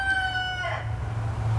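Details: A pet rooster crows on the other side of a wall, a loud, harmonic, held note that drops away at the end, muffled over a low indoor hum.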